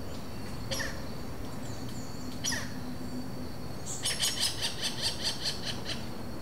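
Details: Robust Woodpeckers, a wild pair, trading interaction calls at Vargem Grande Paulista, São Paulo, Brazil, April 2023, Zoom H4n, no playback: two isolated harsh notes, then a rapid rattling series of about eight notes near the end.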